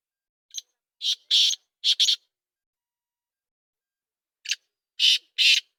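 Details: Two phrases from a black francolin: each a thin lead note followed by loud, buzzy, grating bursts in quick succession, separated by a few seconds of silence.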